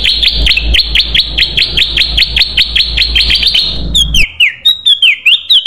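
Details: Sooty-headed bulbul sound used to lure birds: a rapid string of bright, clipped chirps over steady low background hum, ending in a few clearer, descending whistled slurs.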